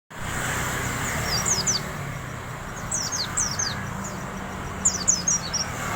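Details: Wild Oriental white-eye singing a fine 'riwik' style song: very high, thin whistled notes sliding downward in quick clusters, with a steady low rumble beneath.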